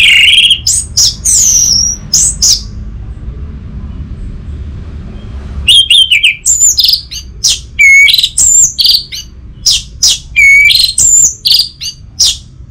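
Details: Lively orange-headed thrush song, played to coax a stalled captive anis merah into full song: rich mixed whistles and chirps, a silent gap, then a long rapid stream of varied high notes and whistles.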